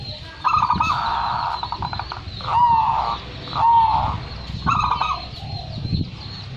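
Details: Champion local zebra dove in full song, giving a long soft trilled coo followed by two shorter rolling phrases and a final burst, each separated by about a second of quiet.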